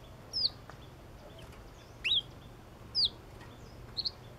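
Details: Yellow-cheeked tit singing: four sharp, clear whistled notes, each slurring downward, spaced roughly a second apart, over a faint steady low hum.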